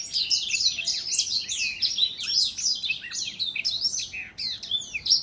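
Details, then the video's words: Song of an older black-throat from 2021, a dense run of high twittering phrases: quick slurred whistles, downward sweeps and chattering chirps tumbling one after another without a break, over a quiet background. "Older Black-throat singing ~ 老黑喉燕歌唱"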